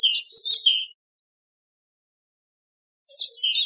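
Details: Great tit song in the Wedani style from a recording for teaching captive great tits and goldfinches: a steady high thin whistle with lower warbling notes beneath, in two short bursts separated by about two seconds of silence.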